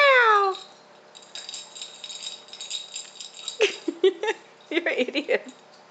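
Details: A pet male galah, about one and a half years old, who has neatly stripped paint from a wall, gives one loud, falling squawk rich in overtones, then goes quiet while a person repeatedly praises it.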